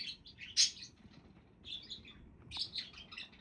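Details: Budgies chattering in quick, high chirps and twittering notes, one loud sharp chirp near the start, then a steady run of bright calls.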